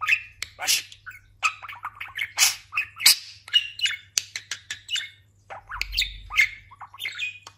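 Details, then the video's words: Pet budgerigar that talks, recently moulted and gained weight, chattering steadily with scratchy squeaks, clicks and brief whistles, a low thump partway through. "Konuşan muhabbet kuşu"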